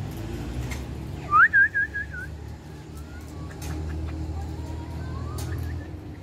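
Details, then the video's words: Pet Indian ringneck parakeet, said to talk a lot with its owner, gives one loud, wavering whistled phrase of about four linked notes. Steady low hum and faint scattered background sounds continue throughout. "Ye Wala Mithu Mery Sath Buth Bolta ha Indian Ringneck"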